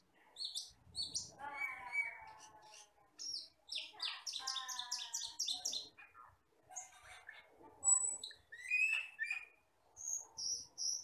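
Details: Common hill myna from the forest in a dense, varied song of sharp high whistles, ringing harmonic phrases, and buzzy chatter, delivered in rapid bursts with brief gaps and a faint low rumble near the start.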